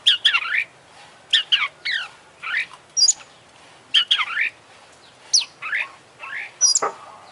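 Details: Oriental magpie-robin, international champion bird, giving full 'isian' fill-in song as crisp separate phrases about every second, each a sharp high whistle dropping into a short down-slurred twitter.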